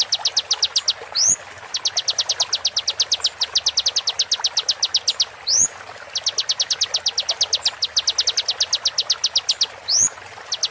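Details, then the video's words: Konin sharp shots used to tutor songbirds, slowed and treated with water therapy: three ticking runs, each followed by a rising whistled slur, in a steady looping rhythm. "MASTERAN KONIN FULL ISIAN TEMBAKAN TAJAM"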